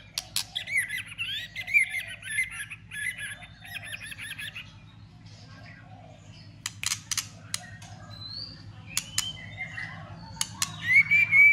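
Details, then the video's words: A white-rumped shama in fighting mode, clicking repeatedly while flicking its tail to provoke other shamas. Rapid warbled phrases open the recording, then a series of sharp dry clicks, scattered whistled notes and a final bright whistled phrase. "Chòe lửa kích lửa cực sung ,tạch liên tục đập đuôi kích chòe lửa lên lửa hót đấu.chòe lửa hót"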